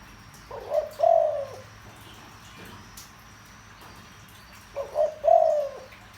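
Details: Low, deep cooing of a spotted dove used to excite decoy birds; two matching phrases about four seconds apart, each a short note then a drawn-out falling coo, with a faint click between.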